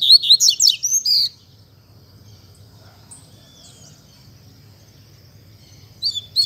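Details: Caged Double-collared seedeater singing in Mack style: a fast burst of high, slurred whistled notes, then about five seconds of near silence with faint background, and the song restarting at the end.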